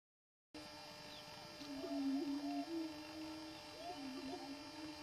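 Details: Greater prairie chicken giving its mating display on a lek, a dancing ground: low, drawn-out moaning hoots held steady, rising and dipping in pitch and swelling midway, with faint higher whoops overhead.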